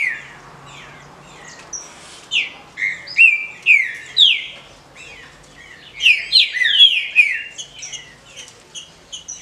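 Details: Chiado calls of a female green-winged saltator, kept in legal captivity and used to fire up males: a steady series of loud falling chirps from about two to five seconds, then a denser, overlapping burst near six to seven seconds.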